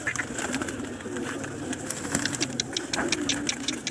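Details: Several pigeons in a loft coo together in a low, throaty, rolling murmur that overlaps continuously, with scattered clicks, shuffling and a faint voice in the background.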